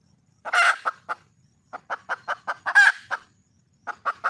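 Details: Red junglefowl hen calling for a male: series of short clucks roughly every quarter second, with two louder, harsher squawking bursts mixed in.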